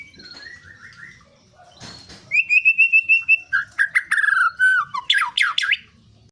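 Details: White-rumped shama singing to stir up other birds: soft low whistles at first, then loud rapid bursts of clear notes, a sustained whistled phrase, and sharp steep upward sweeps at the end.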